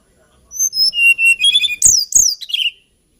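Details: A hill blue flycatcher sings one lilting phrase of high whistled notes: steady pure tones, then two sharp downslurred notes and a trailing warble.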